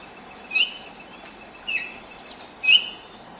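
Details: Baltimore oriole singing at sunrise, 5:40 a.m. on 10 May 2024, in a neighbour's apple tree while hopping between branches and pecking; three short, bright whistled notes about a second apart over quiet background.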